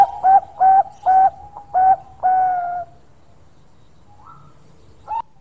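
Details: Zebra dove of the Bangkok type singing a long, lively song: five short, soft, mellow coos on one low steady pitch in quick succession, then a longer drawn-out coo, a pause of near silence, and one brief closing note.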